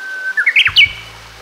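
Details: Wild Japanese bush warbler singing an unusual variant of its song in rural northern Harima, Hyogo, Japan, heard as 'mou kore demo ka': a short faint lead-in note, then about five quick bright whistled notes climbing and dipping, ending on a higher flourish.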